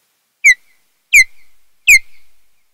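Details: Osprey at a nest on Kent Island, Maryland, 25 June 2018, around 17:00, one of a mated pair: three loud, sharp whistled notes, each slurring downward, under a second apart, with a faint knock at each start.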